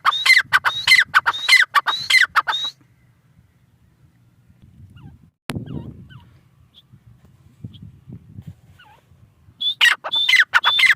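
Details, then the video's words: Grey francolin in a grating rhythmic call run, then a long pause with a sharp click and soft low noises, before the strident whistled phrases return at the end. "Teetar ki awaz | Teetar voice | gray francolin teetar sound"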